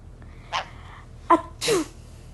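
A sun conure sneezes: three quick, breathy bursts, the last with a brief falling squeak.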